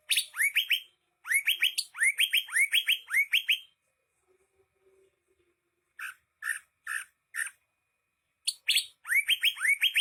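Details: Greater green leafbird singing actively in captivity: bursts of rapid, sweet whistled notes that swoop upward, delivered in quick phrases with pauses, then a short series of sharp separate chips before the rising whistles return.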